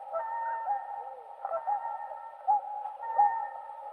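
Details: Whooper swans (Cygnus cygnus) heard more distantly: a soft, blended chorus of honking voices with a few clearer trumpet notes breaking through in the second half.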